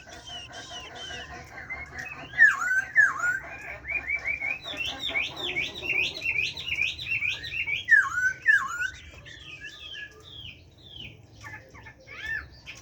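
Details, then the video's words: Kept Chinese hwamei singing in forest-voice style, giọng rừng: long varied phrases of loud whistled notes, including a series of repeated downslurred, V-shaped whistles, then scattered chirps and trills. "Họa Mi hót . tiếng chim họa mi hót giọng rừng nuôi"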